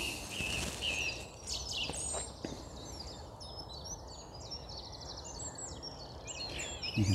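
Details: On a bright, frosty spring morning around 7 am beside a road, a Blackcap sings a rich, fast warble of varied fluty phrases over steady traffic rumble, with a man's brief voice at the start.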